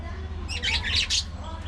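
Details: Budgie colony socializing: one short, loud burst of harsh, squawky chattering, under a second long, over a low droning hum.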